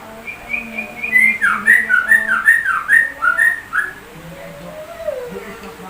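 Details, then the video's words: Sooty-headed bulbul copying white-rumped shama song: about ten rapid zigzag whistled notes in a steady series over two and a half seconds, followed by a faint rising tone. "Burung TRUCUK rasa MURAI BATU"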